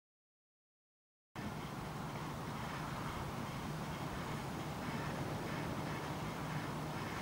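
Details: Steady roar of passing road traffic after a second of silence, with no animal calls.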